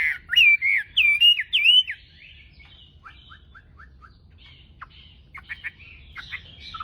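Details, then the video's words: Tame Chinese hwamei singing in a song contest at dawn: three loud, rich, looping whistled phrases, then a quieter series of short separate notes and a few brief chirps. "Hót đấu cực sung ! Họa mi thuần chào bình mình"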